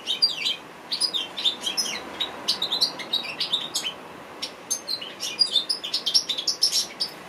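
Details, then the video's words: Singing African goldfinch used as a training song for birds, delivering rapid bright tweets and buzzy high twitters in uneven bursts, a short lull near the middle before the varied chatter resumes. "African goldfinch bird singing"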